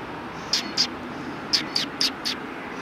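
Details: Sparrows at a Tenmangu shrine on 3 January 2020: six short, high, faint chirps in two bursts over a steady background hum.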